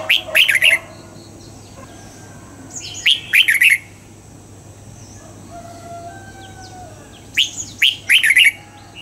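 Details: Caged red-whiskered bulbul singing a wild-style double-note song during morning training: three quick bursts of bright, slurred whistles spread over nine seconds, with soft chirps and a low hum in the background.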